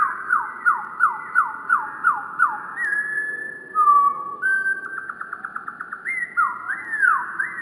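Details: Slowed-down wren song opening with a fast series of about nine downward-sweeping whistles, then flat held notes, a buzzy pulsed trill, and rising slurs at the close.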